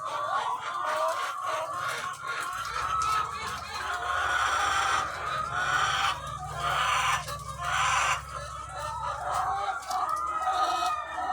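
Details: Egg-laying hens in their thousands on a farm, a constant roar of overlapping clucks with bursts of louder squawking every second or two, over a steady low mechanical hum.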